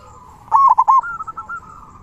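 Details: Zebra dove with a big 'kung' voice, singing to get quiet doves singing: one loud rolling, triple-pulsed coo followed by a softer run of quick notes.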